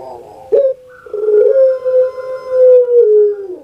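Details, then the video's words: Puter pelung dove kept in captivity: a quick gruff note and abrupt kuk, followed by a long, smooth, steady coo lasting over two seconds that slowly droops at the end, heard clearly indoors. "KURANG AJAR BENER SUARANYA BIKIN PUTER PELUNG LAIN SAKIT HATI"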